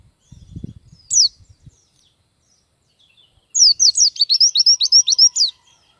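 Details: Oriental white-eye singing: a single sharp descending chirp, a pause with faint low rustling, then a quick twittering string of about a dozen high down-slurred notes lasting two seconds.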